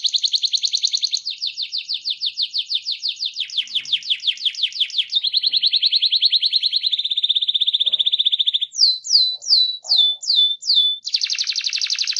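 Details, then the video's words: Rolling canary song used to prompt other canaries into singing, a long unbroken chain of fast pulsed trills that change pitch and speed, with a run of sharp downslurred notes near the end. "SUARA KENARI GACOR NGEROL"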